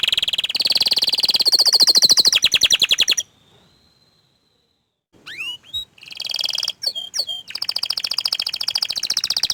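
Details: Orange frost canary delivering rapid rolling trills, pausing briefly, adding a few swooping whistled notes, then returning to a long, fast, evenly repeated buzzy trill.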